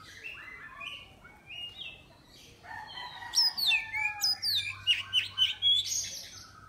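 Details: Caged Oriental magpie-robin from Miri, Sarawak, entered in an online bird singing contest. It gets crickets, 30 minutes of daily sun and an afternoon bath. Soft varied notes give way to loud, fast whistled and rattling phrases with sweeping slurred notes.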